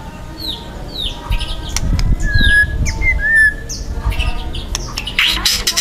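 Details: Young wild white-rumped shama singing loud, dense 'tembakan' song of harsh material: thin downslurred whistles and sharp chirps, a few clear level whistles, ending in a buzzy burst, over steady low rumble.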